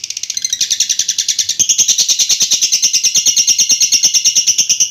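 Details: A lovebird's extended "ngekek" trill, a loud continuous rasping chatter of fast pulses that grows louder and steadier after the first second.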